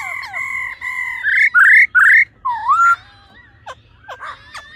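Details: Female laughingthrush's ro ro call, aimed at stimulating the male: steady nasal tones lead into three loud upswept whistles and a rising slur, then scattered faint clicks and chips.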